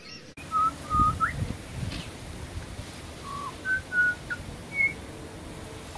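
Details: Australian pied butcherbird in the wild giving sparse, pure whistled notes, short level tones with a few upward slides, separated by pauses against a faint hiss of background noise.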